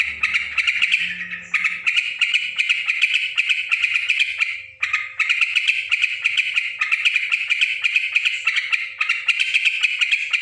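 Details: Noisy yellow-vented bulbul: a long stream of fast, harsh chattering notes, broken by two short gaps, steady and loud throughout, with a faint low hum early on.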